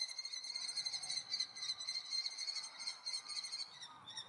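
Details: Common kestrel chicks on 2 June 2018, waiting since morning for their parents to bring food: a steady, rapid run of high, shrill, harmonic squealing notes that pulse on and off without a break, with nothing else prominent.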